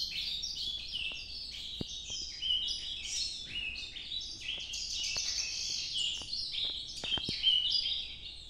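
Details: Nordeste-style nocturnal song of an Ultramarine grosbeak: a continuous chain of quick high warbled notes, moderately soft, with scattered sharp clicks throughout.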